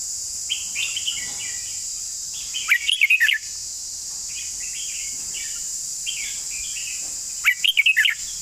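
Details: Red-whiskered bulbul giving a long song: two loud, quick warbled phrases of about six bright, rising-and-falling notes, roughly five seconds apart, over fainter chattering birds and a steady high insect-like hiss.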